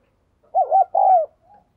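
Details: Spotted dove giving two mellow low coos, the second longer and gently falling in pitch.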